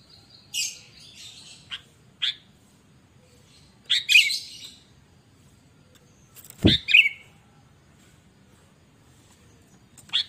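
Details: Sooty-headed bulbul in full chatty song, used to lure and train other birds: scattered bright whistled notes and slurred phrases with sharp clicks and a loud knock between them.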